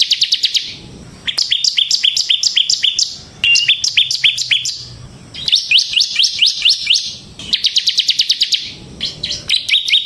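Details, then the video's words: Lively bar-winged prinia song meant to lure and tutor other prinias: rapid bursts of sharp, high, dry chirps repeated many times a second, in short trilled phrases separated by brief pauses over ten seconds. "suara burung CIBLEK SEMI GACOR Ngebren Ampuh untuk Pancingan Ciblek Kristal dan Masteran Ciblek"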